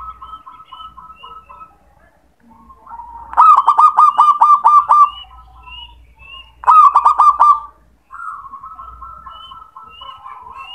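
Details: Male zebra dove calling close by: loud bursts of rapid, staccato cooing notes run together twice, between softer repeated coos, while another bird gives faint high whistles in the background.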